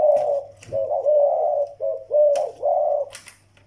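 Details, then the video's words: Two zebra doves, one a young Malay-type bird and one an old Vietnamese decoy: rapid purring coo notes in linked phrases, fading out near the end, over a low steady hum and scattered clicks. "chim malay tơ và mồi việt già"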